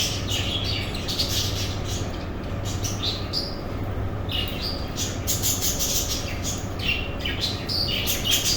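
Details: Captive budgerigars in a breeding colony; busy high chirps and squawky chatter from many birds overlapping, over a steady low mechanical hum.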